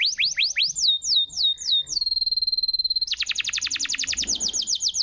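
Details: ['Canary in full gacor song, a masteran used to bait silent canaries into singing: rising then falling whistled slurs, a long steady buzzy trill, then a rapid pulsing high trill.']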